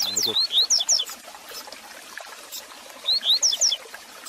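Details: Training song of a double-collared seedeater for a caged male: two phrases of clear, high, swooping whistled notes a few seconds apart, opening with a brief low buzzy sound, over faint background noise.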